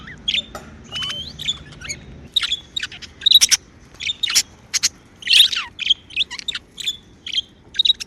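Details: Happy pet budgerigars chirping: a busy stream of bright high chirps, clicks and short whistled notes, densest in the middle seconds, near-continuous chatter over a quiet background.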